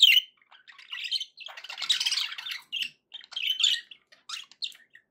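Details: Pet budgerigars in a cheerful mood, a loud opening squawk followed by continuous raspy warbling and scattered short chirps.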